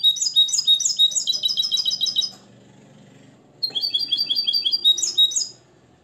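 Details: Trained limpio song of a nest-bred European goldfinch kept in Morocco, modelled on Tarkiba Dahabia 2020. A quick, ringing series of paired twitters lasts over two seconds, then a short quiet gap, then another rapid twittering phrase ending in higher notes.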